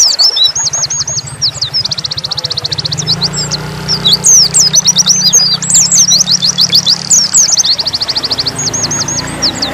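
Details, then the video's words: High, rapid trills and scattered twittering chirps from a dakun Oriental white-eye singing nembak style, over a steady low engine-like drone. "pleci dakun nembak"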